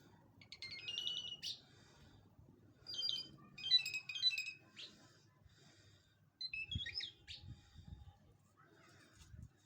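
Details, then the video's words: A lark sings in short bursts of varied, sweet twittering and trilled notes, each lasting about a second, with pauses between, over a low rumble. "Mushadi Irani jal singing bird"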